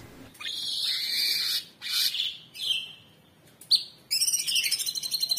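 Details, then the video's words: Orange-bellied Leafbird kept as a cage bird, a training master recording: long, level, high whistles broken by short pauses, with slurred notes, then a rapid buzzy rattling trill at the end. "Tembakan Cucak Cungkok super gacor"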